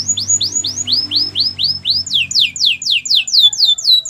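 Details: Canary training song made of repeated downward-sweeping whistled notes, roughly four each second, shifting partway to a higher, sharper slur series; a faint low hum underneath.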